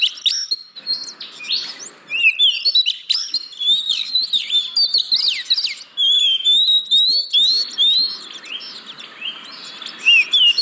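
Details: Oriental magpie-robin (kacer) singing, a lure for caged birds that are reluctant to sing: varied whistled notes, sweeping slurs and high chirps in dense bursts, with a quieter stretch near the start.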